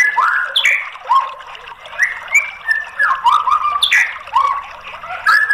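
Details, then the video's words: White-rumped shama song played to coax a bird that has gone quiet into singing: bright whistled phrases with sharp upslurs and falling slurs, coming in bursts about a second apart. "PANCINGAN MURAI BATU MACET BUNYI biar NYAUT jadi GACOR NGEPLONG"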